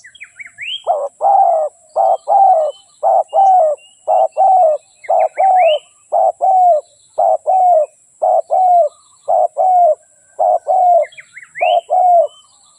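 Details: Decoy spotted dove kept for trapping wild doves, cooing in a long steady series: husky low paired notes, a short one then a longer falling one, repeated roughly every second, with occasional faint higher chirps from other birds.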